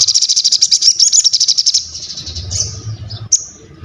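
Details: Crested jay in full song, a fast, high, even rattle of about sixteen sharp clicking notes, then quieter scattered chips and a brief high whistle, with a low hum underneath.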